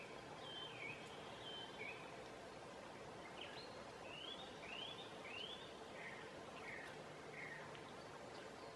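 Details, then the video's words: Song thrush singing through the night at midsummer in Southern Savonia, Finland: a distant bird gives short, clear phrases of sweeping notes about every half second over a steady background hiss. "Song Thrush sings through the night"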